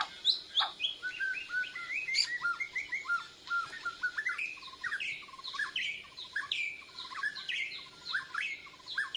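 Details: Borneo white-rumped shama learning to sing, kept bird responding to a lure recording with breast feathers fluffed: a continuous run of short whistled notes, chirps and slurred phrases against a soft background hiss.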